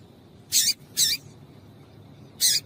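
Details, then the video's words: Female double-collared seedeater (papa-capim) call for prompting a male to sing: three buzzy, high chips, the first two in quick succession and the third after a short pause. "Piado de Fêmea de Papa capim Vai deixar Seu Papa capim Cantando"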